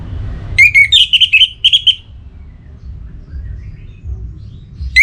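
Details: Orange-headed thrush, a kept bird in breeding condition from Singaraja, Bali, challenging a rival. One rising whistle leads into a rapid chain of sweet, warbled notes lasting about a second and a half, then a fresh phrase starts.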